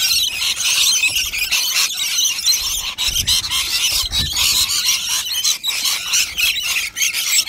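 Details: Flock of rainbow lorikeets feeding on nectar: constant overlapping high, grating squeals and chattering calls, busy and unbroken throughout, with a few faint low knocks beneath.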